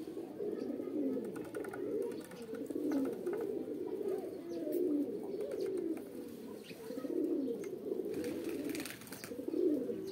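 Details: Pigeons giving a mating call: low, throaty cooing that rolls on almost without a break for ten seconds, with swelling, wavering phrases, apparently several birds overlapping, heard indoors.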